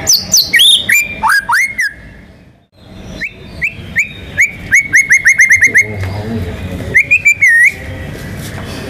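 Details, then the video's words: White-rumped shama, a national contest champion, pouring out chattering clicks and swooping whistles, then after a short gap a quickening series of rising whistled notes, closing with a wavering warble. "MURAI BATU GACOR MANCING BURUNG LAIN BUNYI‼️ MATERI ISIAN NGEROL NEMBAK IRAMA LAGU LENGKAP ISTIMEWA"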